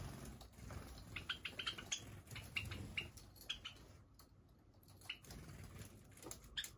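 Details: Java sparrows from a flock of over thirty kept free-flying in a room indoors, giving short, sharp, high chip notes in loose irregular bursts, with soft rustling and pattering in between and a brief quieter stretch midway.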